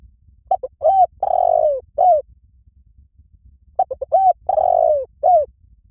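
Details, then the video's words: Lure recording of a Spotted dove giving its 'liu tan' style coo for training captive birds to answer. Two matching phrases roughly three seconds apart: clipped opening notes, a rising coo, a drawn-out descending coo, then one short closing note. "สำหรับเปิดล่อนกเขาใหญ่ฝึกต่อ ให้ขันโต้ตามเสียงนกเขาใหญ่หลิ่วตัน"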